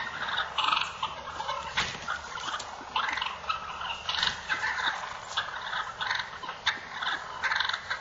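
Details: Fighting wild turkey toms: rapid, overlapping harsh calls in repeated bursts, punctuated by sharp clicks and knocks throughout.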